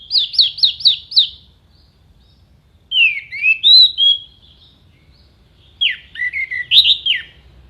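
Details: Orange-headed thrush giving sharp, clear contest-tutor song: five quick repeated falling notes, then a pause, then tumbling slurred whistles and chattering phrases, twice more.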